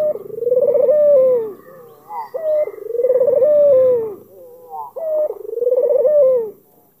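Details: Cooing of an albino Barbary dove with black collar, meant to draw out a rival: three long vibrating coos that fall at the end, each ending in a brief upward flourish, repeating about every two and a half seconds.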